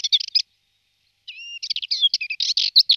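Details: Male Subalpine Warbler feeding on aphids during migration in Malta; loud bursts of scratchy, chattering chirps high in pitch, a brief pause, then a drawn two-tone whistle followed by more rapid twittering notes.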